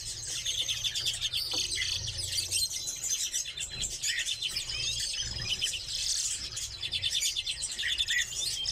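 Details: Captive redpolls give overlapping chattering trills and short chirps in a lively flock chorus, with a low hum and a few soft knocks.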